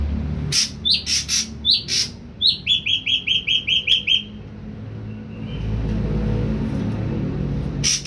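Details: Three-week-old ashy drongo, weaned and starting to find its voice, gives several upswept chirps and then a quick run of about eight sharp, evenly spaced notes, followed by low background noise and a faint note.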